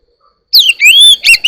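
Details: Morning song of an Oriental magpie-robin: a downslurred whistle, then a long, sweet, level-to-rising whistle and a harsh, scratchy note at the end.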